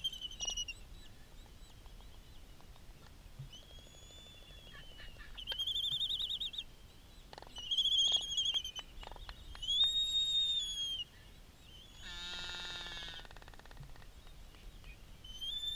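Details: Black-footed albatross adult feeding its chick on Midway Atoll. High thin whistled calls, arched and slightly rising, come in short clusters. A harsher broadband burst around the twelfth second is followed by further whistles against quiet outdoor background.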